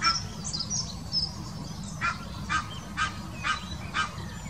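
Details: Mating call of an Egyptian goose, Wittlicher Senke, 2018. Five harsh, evenly spaced honks about half a second apart follow some high twittering from small birds, over a low constant hum.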